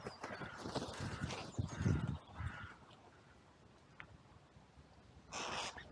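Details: Several crows in a cemetery under blue sky, captured on a trail camera during an outcry when two crows fought and more flew in from all sides: overlapping rough caws and scuffling thumps, then a short rushing burst of noise.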